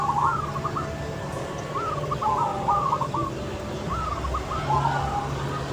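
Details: Zebra dove of local stock, noted for a loud voice, singing outdoors: three rippling coo phrases, each a quick rising note followed by a bubbling roll, spaced about two seconds apart, with a low droning background.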